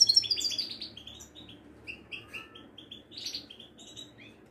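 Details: Moroccan Widani-type European goldfinch in Casablanca. Faint, rapid twittering with high tinkling chirps and buzzy notes, delivered in quick bursts over a low background hum.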